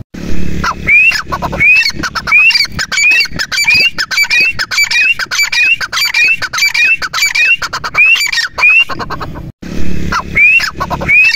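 A partridge gives loud, high whistled notes that slide upward, repeated roughly every two-thirds of a second, over a steady rattle of clicks and background noise.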